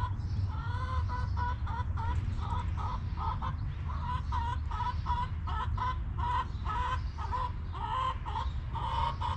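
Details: Backyard hens clucking in their coop: a rapid run of short, evenly spaced clucks, about two per second, continuing for the whole stretch over a constant low hum.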